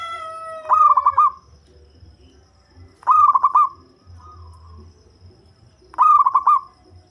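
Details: A deep-voiced local zebra dove, kept as a lure bird, repeats a short burst of rapid, clipped cooing notes about every three seconds. Three bursts are heard over quiet background.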